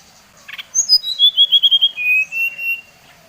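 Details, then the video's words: Bali brown-chested jungle flycatcher song used to make other birds aggressive: a soft buzzy burst, then a clear whistled series falling in steps and settling into several even, level notes. "Suara SRDC Bali Paling di sukai srdc lain | Pancingan Srdc bikin srdc lain naik emosi"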